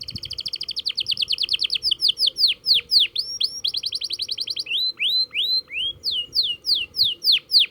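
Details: Canary practising its roll: a fast even trill of high notes, then slower falling whistles, another rapid trill, and a run of rising swept whistles.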